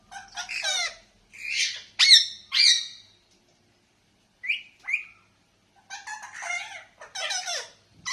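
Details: Parrot calling: harsh, squawking bursts with rich harmonics come in clusters, with short gaps and a longer pause midway, followed by a rapid chattering run near the end.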